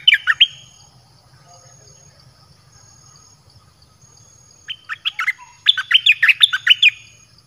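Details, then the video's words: Red-whiskered bulbul luring song for wild birds: a brief opening note cluster, a long quiet stretch, then an energetic rush of ringing whistled notes rising and falling near the end. "เสียงนกกรงดอกแตงEp.22Birds sounds เปิดดอกเพลงหลากหลาย นกป่าเข้าเร็ว เพลงเพราะน่าฟัง"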